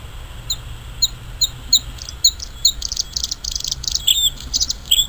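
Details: Wild Bluethroat in song, opening with evenly spaced pairs of clear high notes about every half second, then breaking into a denser buzzy, scratchy stretch with a few piercing whistles, over faint low hum.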